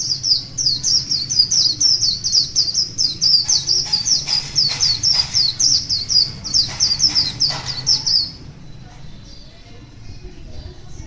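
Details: White-eye, wild, singing in the morning: a long, fast string of high piercing chirps with sharp clicks between them, about four notes per second for eight seconds, then near silence with faint distant sounds.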